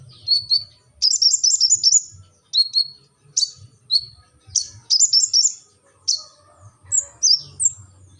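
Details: Brown-throated sunbird (kolibri ninja) giving 'gacor' song: scattered sharp single high notes and short quick twittering runs, irregularly spaced, ending with a few thin descending whistles; faint low background hum.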